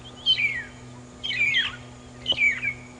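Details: A Magpie Shrike, or long-tailed shrike, at Djuma Game Reserve on an afternoon safari drive on 6 September 2015, gives three high, slurred whistles, each dropping in pitch, about one a second, over a steady low engine hum.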